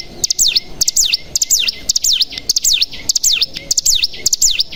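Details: Bar-winged prinia lure recording made to stir other prinias into singing. Sharp, high, down-slurred notes come in quick pairs and clusters, roughly twice a second, over a faint steady high tone.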